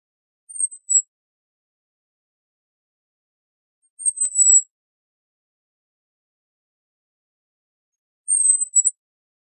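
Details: Flame-crowned flowerpecker at Banaue, Ifugao, Philippines, giving three very high, thin, slightly falling notes spaced about four seconds apart against near silence.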